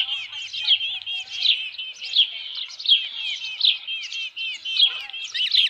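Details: Osprey at its nest with a headless fish, Dunrovin Ranch, 27 June 2018, around 12:48 PM: a steady run of high, thin whistled chirps, slightly rising and falling, given roughly once or twice a second with little else heard.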